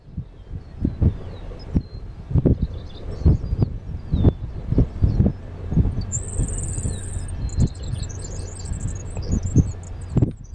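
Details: Grasshopper sparrow singing: faint ticking notes lead into a thin, very high insect-like buzz about one second long, followed by a few more high ticks, over steady low rumbling noise and thumps.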